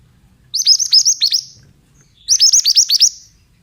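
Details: Male Oriental magpie-robin bait song: two bright phrases of seven or eight fast, high, hooked chirps each, separated by a short pause, clean and loud over a quiet background.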